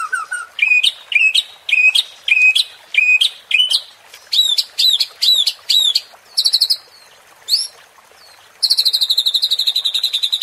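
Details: Provoking song of a white-rumped shama (murai batu), used as a training sound for contest birds: sharp, loud upswept notes repeated in a steady series, then higher ringing notes and a closing buzzy trill.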